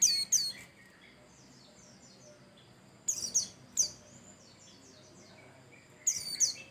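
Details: White-eye song used to prompt other birds to sing: three bursts of very high, sharp, twittering chirps with quick downslurred notes, one at the start, one near the middle and one at the end, with quiet low background hum between.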